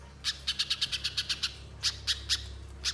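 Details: Spiderhunter used as a singing lure: a quick string of about ten sharp, rasping chips, followed by four slower, spaced notes.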